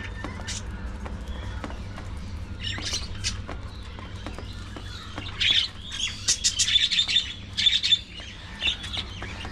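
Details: Budgies at early morning feeding time start with scattered soft chirps and ticks, then break into louder warbling with high, buzzy chirps in the second half.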